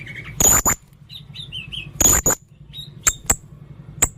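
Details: Blue-crowned hanging parrot in full song: two loud bursts of harsh, explosive notes with thin high whistles, short soft warbled chirps between them, then a few sharp single notes over a low background hum.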